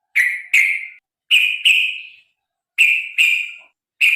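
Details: Sooty-headed bulbul (trucukan) recording for stimulating birds to sing: loud harsh paired notes, each pair falling slightly, repeated about every one and a half seconds.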